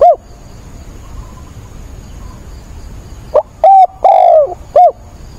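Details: Spotted dove used as a decoy, cooing energetically in stormy rain on 28 October to provoke wild doves. A single coo is followed after a pause by a full phrase: a short note, a steady coo, a long falling coo and a short end note.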